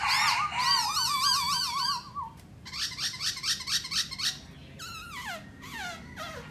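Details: A Black laughingthrush sings while dancing: rich, wavering warbles, then a burst of quick repeated notes and several loud downward-sliding whistles, heard in a small room.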